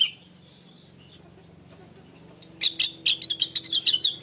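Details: Natural song of the blue-winged leafbird (rengganis, cucak wilis), meant to lure other birds into singing: faint quiet stretch with a distant note, then a lively run of sharp, high chirps and slurred whistles.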